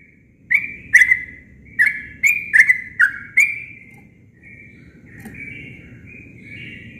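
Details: Sooty-headed bulbul in natural, unembellished song: a burst of six loud, bubbly whistled notes, then softer, drawn-out warbling phrases trailing off, with a low rumbling background.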